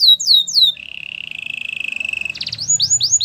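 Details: Canary song for training other canaries: falling whistled slurs, a long fast rolling trill, a brief rattle, then more swooping slurred notes.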